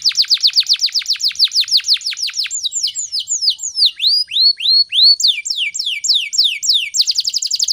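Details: Morning canary song meant to trigger and teach other birds: a steady series of falling whistled sweeps, then looping curved notes and rising slurs, finishing with a fast, bright trill.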